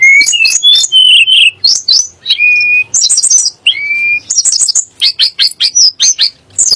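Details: Sunda blue robin (tledek gunung) song, used to rile up magpie robins and muri into singing. Loud, fast, varied phrases of clear high whistles, sharp chirps and rapid trills, with brief pauses between bursts.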